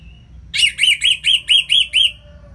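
Orange-headed thrush singing a quick run of seven bright, ringing, rise-and-fall notes, about four per second, over a faint low hum.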